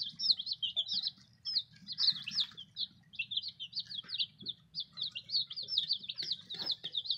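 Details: Newly delivered baby chicks cheeping loudly and nonstop, a crowded run of high, quick, wavering peeps with a faint low hum behind.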